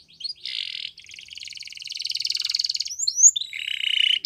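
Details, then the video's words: Male canary singing: buzzy trilled phrases high in pitch, a rapid rattling roll building in the middle, then sharp upward whistled notes and a steady trilled tone at the end. "Canary Sounds Male | The Best Canary Singing"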